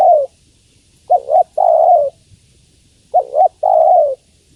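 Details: Female spotted dove calling to the male: a deep cooing phrase of two short rounded notes and then a longer falling coo, given twice about two seconds apart, on a quiet background.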